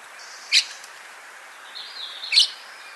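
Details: Common starling singing: two sharp, crackling clicks about two seconds apart, linked by a thin, high whistled phrase that wavers slightly, in an otherwise quiet setting.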